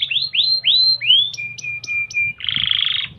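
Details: Domestic canary tutor song played to make other birds sing: series of rising slurred whistles, short clipped notes, then a dense buzzy trill; low hum underneath.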